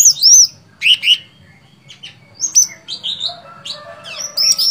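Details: Gacor fighter singing from a sooty-headed bulbul (cucak cungkok): arched whistles and downward slurs, then a looser run of softer chirps and rising notes building again toward the end.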